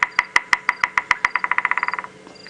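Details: A Bearded Woodpecker at close range on a South African sunrise safari drive, 7:30 AM, 4 May 2017, drums territorially on wood, about twenty sharp knocks speeding up and fading over two seconds.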